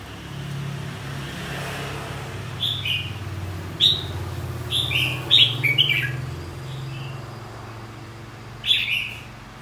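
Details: Red-whiskered bulbul, a white-cheeked form, singing in contest style for training: short bright whistled phrases rising and falling, given in quick bursts of two or three with pauses, over a steady low hum.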